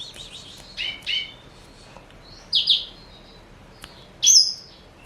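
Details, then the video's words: Male black-throated canary, a four-year-old Somerini x Botswana cross kept as a seed- and vegetable-eating pet, gives brief high chirped notes with short sweeping phrases spread over five seconds, separated by quiet pauses. "Kicau Merdu BLACKTRHOAT SOMBOS Somerini x Bostwana Usia 4 Tahun"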